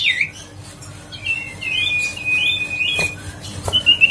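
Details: Grey-headed canary-flycatcher lure song, played to get a lazy bird singing again: thin high whistles, a fast trill at the start, then a long level whistled note with small wavering turns near the end, over faint background hum.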